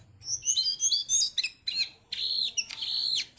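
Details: Singing Siberian blue robin, tame and kept in a cage; high sweet whistled phrases wavering up and down, then buzzy, broken notes and longer thin whistles.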